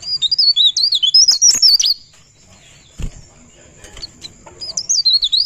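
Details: Rolling, open-beaked song (ngerol bukpar) of a pare pare bird: a rapid two-second run of high twisting whistles, a pause with faint rustles, then the warbling starts again at the end.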